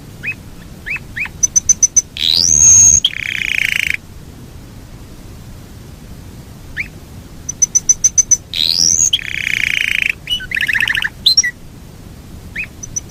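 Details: Yorkshire canary, long rolling song: scattered chirps and high piping notes around bursts of loud buzzy, rolling trills, with quiet pauses between the phrases.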